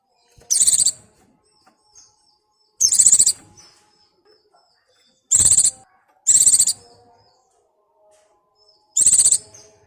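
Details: White-eye in breeding mood calling to a mate; five piercing, quickly pulsed trill bursts over ten seconds, irregularly spaced, two of them close together, with faint background chatter.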